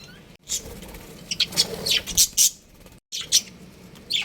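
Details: Budgerigars, a pet breeding pair, giving scattered sharp high chirps in short clusters between gaps, over a steady low indoor hum and faint background noise.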